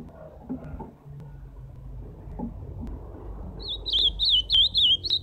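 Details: Ultramarine grosbeak (azulão) song recorded live, the bird starting late with a loud series of looping warbled whistles after several seconds of quiet background rumble.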